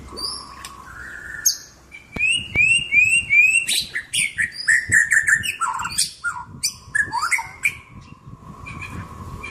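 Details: White-rumped shama pouring out a rich, varied song: low whistled notes, rapid repeated chirps, sweeping trills and sharp high accents, densely packed and loud throughout.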